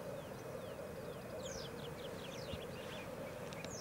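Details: Black grouse lek in Elverum in 2008, with 38 cocks in total: a steady, low, dove-like bubbling rookooing chorus, while other birds add thin, high, falling whistles above.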